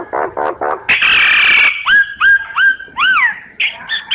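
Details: Myna calls used as a lure for surveying birds: low gurgling notes, a long harsh rasp, then a series of looping whistled notes and a rising-falling whistle.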